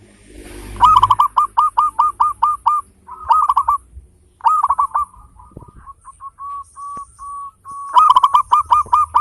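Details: A local zebra dove with a big voice and fine rhythmic beats, kept as a lure to trigger singing in others, delivers loud hooked coos in rapid series, then a softer train of flat notes, before loud hooked notes return.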